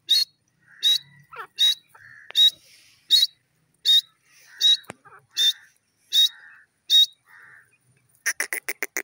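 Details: Pet grey francolin, described as a female Irani teetar, giving a steady run of short, sharp, high notes, roughly one every three-quarters of a second, followed by a quick burst of six clipped notes at the end.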